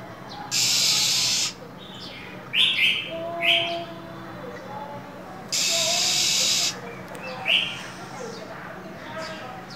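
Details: Female than songbird in cold winter hissing to stimulate a male: two long harsh hisses with short, sharp chirps and a few thin whistled notes scattered between them.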